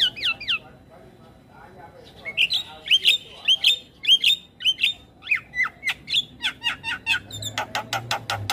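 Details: Young black-winged starling in full isian song, a series of downslurred whistles and squeaky chirps repeated about twice per second, ending in fast sharp clicks with a brief low hum.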